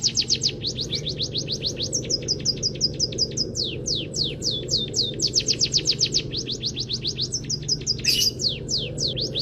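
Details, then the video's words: Munia song as a master recording for training other songbirds: energetic trills of sharp, high falling chirps in shifting rhythms, a brief noisy burst near the end, low steady hum throughout. "Masteran Burung Peking Emprit Kaji Gacor ❗❗Isian full Kenari"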